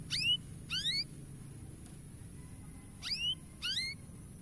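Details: Canary, sung to encourage young canaries to sing; four quiet, isolated sharp notes with falling overtones, spaced in two pairs, separated by near silence and a faint low hum.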